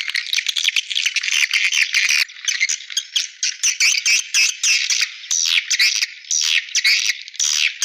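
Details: Swiftlet calling sound used as a lure to attract swiftlets: a dense, high chattering chorus of rapid buzzy bursts, pulsing on and off every fraction of a second with no other sounds.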